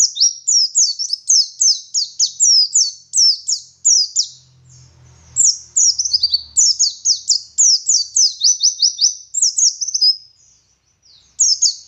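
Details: Garut dakun Oriental white-eye, a local West Java bird, in full ngalas song: long runs of rapid, sharply downslurred high chirps, a brief pause with faint low rumble, then another fast twittering series.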